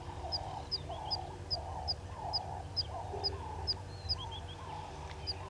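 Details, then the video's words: Morning, 08:35 on 05/06/20, at Gowrie dam in South Africa's Sabi Sand Wildtuin: three-banded plovers give a string of thin, high pips about every half second, with a few faint rising notes, while lower bubbling clucks continue beneath. "Three-banded Plovers"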